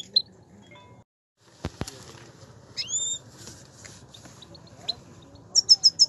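Himalayan goldfinch giving sparse high song notes: a bright rising whistle, then a quick run of four sharp, tinkling notes, with a couple of dry clicks between.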